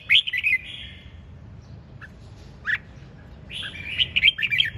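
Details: Red-whiskered bulbul singing vigorously in the ché chẻ style: bright warbled phrases, a short opening burst, a held note, an isolated chirp, then a busier run of sharp notes near the end.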